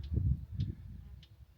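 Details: A Eurasian blackcap in spring in Hampshire or Dorset, late in the day, had been singing and now gives three faint, hard tutting alarm clicks about half a second apart, over low wind rumble.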